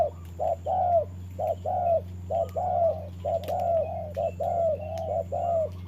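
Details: Spotted dove decoy used for trapping, calling against a wild bird in the rain: a steady run of mellow mid-pitched coos, short notes paired with longer drawn-out ones, about one per second, over a low hum and faint high tone.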